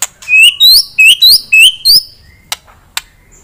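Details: White-rumped shama firing song bursts to raise a rival's aggression: six loud rising whistles repeated about every third of a second, then two sharp clicks.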